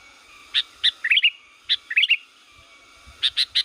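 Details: Sooty-headed bulbul from Liwa, used as a lure sound for the forest or home: short bright chirped notes and quick rising whistled phrases in small bursts, ending with three sharp repeated notes, on a clean quiet background.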